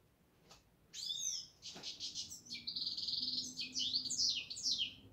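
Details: European goldfinch singing: after a second of quiet, a fast, high twittering run of tinkling, buzzy and liquid notes, with a short metallic trill near the end, over a faint steady low hum.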